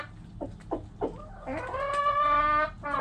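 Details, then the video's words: Backyard chickens: three short clucks, then a rooster's drawn-out crow that rises and holds steady for over a second before breaking off, with low hum behind. "Hens Clucking Roosters Crowing!"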